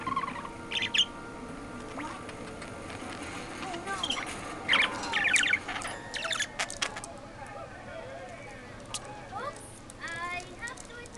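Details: A male pet parakeet croons to a can he treats as his protector: a rambling warbled string of chirps, clicks and quick rising and falling whistles, with short bursts and pauses.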